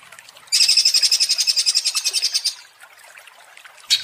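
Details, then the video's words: Provoked greater green leafbird giving a two-second burst of quick, shrill, buzzy chatter, then a short silence before another brief burst begins at the end. "Pancingan Cucak Ijo menjadi emosi & gacor ngentrok"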